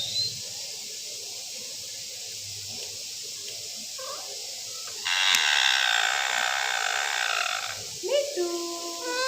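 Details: Caged Alexandrine parakeet, described as a speaking parrot, lets out a long harsh, raspy screech lasting nearly three seconds. A quieter tonal, voice-like phrase follows at the end, over persistent background hiss.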